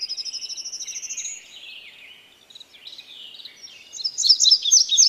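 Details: Blue-grey tanager song: opens with a rapid high trill of even notes, then soft squeaky twittering, ending in loud, sharp, high chirps.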